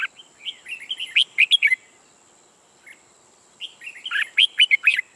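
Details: Red-whiskered bulbul, a new decoy bird used for trapping, singing loudly: two bursts of bright warbled, slurred whistles with sharp chirps, separated by a pause of about a second and a half.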